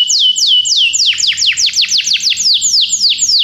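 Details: Loud, continuous Belgian canary song intended to set other canaries singing, made of clear high whistles slurring sharply downward, roughly three to four per second, with no pauses.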